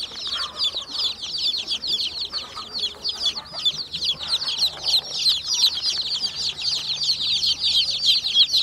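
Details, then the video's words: Many chicks cheeping together in a dense, continuous chorus of short, high, downward-flicking peeps, several per second, overlapping without pause, with faint low hum beneath. "cute chicks"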